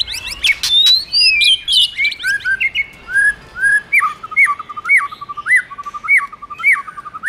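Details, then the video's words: White-rumped shama male song prompted by a female: a high, varied warbling flourish, then a clear repeated whistled phrase sounded about twice a second, each a rising note dropping into a lower trill. "Chòe Lửa Hót Hay Má i Kích Trống Căng Lửa/Tiếng Chòe Lửa Hót"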